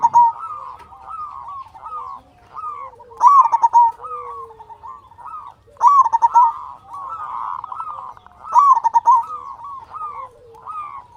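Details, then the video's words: Local zebra dove with a big voice, singing freely as a lure to rouse and excite other doves: four loud clipped coo phrases spaced about three seconds apart, interwoven with softer cooing from other doves. "Perkutut Lokal Gacor Suara Besar Pancingan Burung Perkutut Agar Cepat Bunyi"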